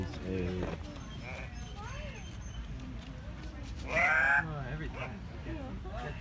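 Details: Andean cock-of-the-rock, a captive bird at the San Diego Zoo, making a surreal, puppet-like noise: one loud, harsh, nasal squawk near the end. People talk close by throughout, with zoo background hum.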